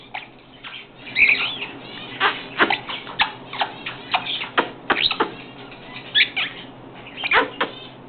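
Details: Pet parrots talking, saying phrases such as "pretty bird", "good boy" and "kisses"; a run of short squawky, chattering vocal bursts of varying pitch, repeated irregularly over several seconds, with quiet room background.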